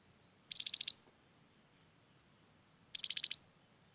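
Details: Grey-headed canary-flycatcher singing keenly: two identical fast, high-pitched trills of about seven sharp pulses each, separated by roughly two and a half seconds of silence.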